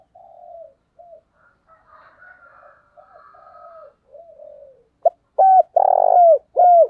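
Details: Morning calling by a decoy spotted dove used to draw in wild doves: soft, faint coos drift in first, then a loud close sequence of a sharp note, a hooted coo, a long rolling coo and a final falling coo.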